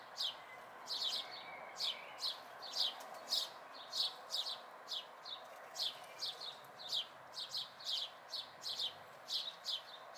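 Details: Local house sparrow fledglings in May 2020 keep up a persistent stream of sharp chirps, roughly two per second, some doubled, with a quieter chirping bird faint in the background and steady hiss.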